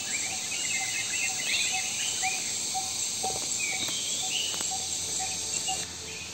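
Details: Male Malabar Trogon at Thommankuthu Ecotourism Center, Idukki, Kerala, on a riverside trail on 9 April 2021, gives soft, low, evenly spaced notes under a steady high insect hiss, with other birds faintly calling.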